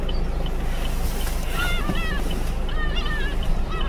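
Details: Several gulls sheltering at Hallim port from very strong wind give short, nasal, wavering calls in quick bursts, half buried under a heavy roar of wind and low engine rumble.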